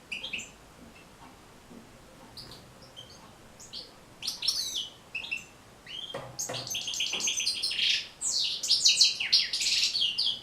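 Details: European goldfinch song used to train and motivate goldfinches to sing. The first four seconds are quiet with scattered faint notes. Then comes a rapid twittering of high, buzzy and liquid notes that grows louder and denser toward the end.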